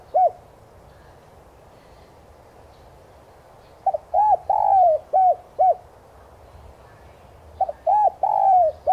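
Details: Spotted dove calling as a lure to excite captive doves into cooing: a lone coo at the start, a long pause, then a full phrase of short notes, hollow coos and a drawn-out falling coo, another phrase beginning near the end.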